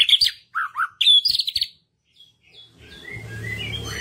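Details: White-rumped shama song as a lure for birds slow to sing: a quick string of whistled and warbled notes for under two seconds, then near silence giving way to a low hum and scattered faint chirps.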